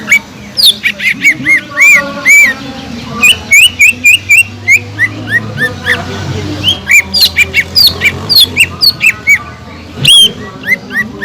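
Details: Cucak ijo, a green leafbird, pouring out stimulating song to rouse other birds: repeated arched whistles, rapid chips and a twittering stretch, with a faint low hum.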